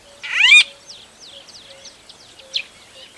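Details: White-fronted bee-eater calling in Kruger, one loud rising chirp with a bright harmonic edge, followed by a series of short, thin, falling notes, with a faint steady low hum underneath.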